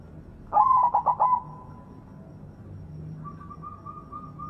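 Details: White zebra dove with a strong voice, sung as a lure to prompt silent zebra doves; one quick stammering coo phrase fading into a sustained tone, followed by a faint steady higher whistle.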